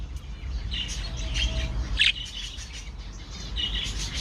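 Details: Budgerigars (Melopsittacus undulatus) in a colony at night give scattered short, high chirps and soft chattering flock notes over a low background rumble.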